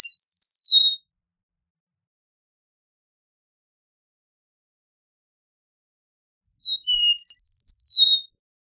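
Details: Two Eastern meadowlark songs spaced about seven seconds apart, each a quick string of sweet slurred whistles rising and dropping, with silence between.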